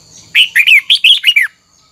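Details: Red-whiskered bulbul, a mature wild-caught bird, singing a double-note twisting song used to train other bulbuls' voices: one loud, fast phrase of about six warbled, slurred whistles, rising and falling, lasting just over a second, in quiet surroundings.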